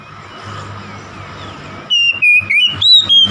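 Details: Oriental magpie-robin singing to rile a rival bird: after over a second of low traffic-like hum, a burst of short sharp whistled notes, some rising or falling, follows in fast succession.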